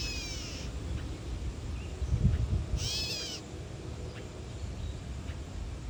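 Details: Catbird defending its nest, tail fanned, mewing like a cat: a partial whine at the start, then a loud slurred mew near the middle, with faint ticks and a brief low thumping.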